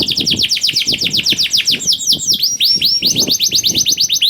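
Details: Lure song of a canary for birds slow to sing: a steady stream of quick descending chirps about eight per second, a brief break into drawn-out slurred whistles, then the rapid chirping resumes.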